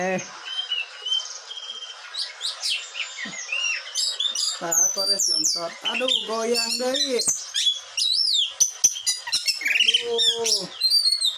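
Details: Agitated caged blue whistling thrush from Bogor pours out varied whistles, upward and downward slurs and harsh chattering notes, with mid-pitched rising-falling phrases near the middle and faint human voices in the background.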